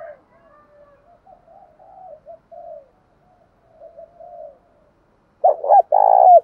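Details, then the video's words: Spotted doves, male and female, calls played to encourage captive doves to call: several seconds of soft, low murmuring coos, then one loud phrase of two short notes and a long buzzy coo. "tiếng chim cu gáy kích bổi hiệu quả hàng ngày"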